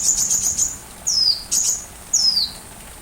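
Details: Sunbird singing as a training model for a white-rumped shama: a brief high shimmering trill, then three separate thin, high whistles, each sliding downward, spaced about half a second to a second apart.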